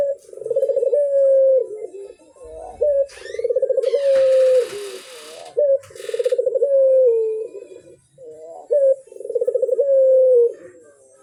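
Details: Barbary dove in full voice, meant to get other doves calling: four rolling, purring coo phrases ending in a drawn-out falling tone, with a brief scratchy rustle between the second and third.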